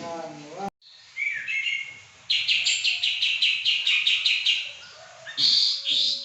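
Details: Pekin robin, a prized and very vocal bird, beginning with a descending slurred note, then a fast run of about a dozen bright, evenly repeated high chips, ending with a louder warbled phrase.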